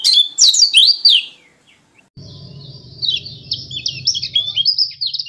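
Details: White-eye from Lombok/NTT, described as a strong singer, in a wild-type singing style: fast high twittering phrases with sweeping whistled notes, a short pause, then softer rapid chatter over a low hum.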